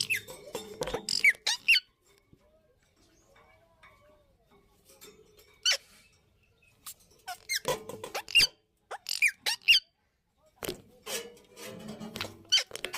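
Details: Indian ringneck parakeets in a breeding setting give bursts of shrill, squeaky screeches, high and harsh, in clusters separated by quiet gaps with faint low background hum.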